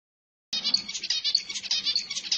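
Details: Zebra finch song, used to stimulate females to mate: after a half-second pause, a rapid run of buzzy, nasal syllables with stacked harmonics, pulsing several times a second in a steady, high-pitched stream.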